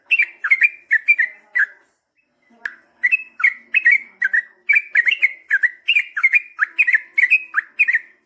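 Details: Gacor Yellow-vented bulbul in long ropel singing: a steady run of bright, liquid slurred notes, each a quick down-up twist, repeated in close pairs for eight seconds after one brief gap.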